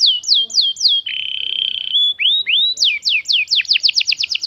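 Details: Canary singing a lure for young birds: falling whistled slurs, a long flat buzzy note, two rising swoops, then quickening repeated downward chirps ending in a rapid roll.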